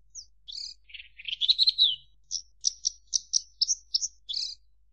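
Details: Javan bush lark giving a rising warbled phrase followed by a steady series of crisp, evenly spaced chirps, about eight in two seconds, over faint hum.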